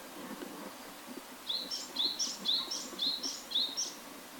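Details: Japanese tit singing a bright, high two-note phrase, a short rising note then a higher one, repeated six times in quick regular succession after a quiet start, with faint rural background noise.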